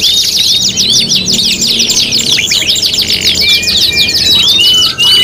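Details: Canary song recorded to tutor birds for competition: a fast stream of high chirps and trills, ending in a few drawn-out, clear whistled notes that slide gently.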